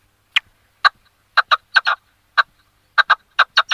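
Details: Red-legged partridge singing with rough, chopped notes, some single and some in quick doubles, at irregular intervals, building into a faster run near the end.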